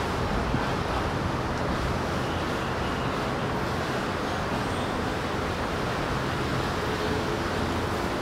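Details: Constant roar of road traffic in an urban park, broad and unbroken, with no animal calls standing out.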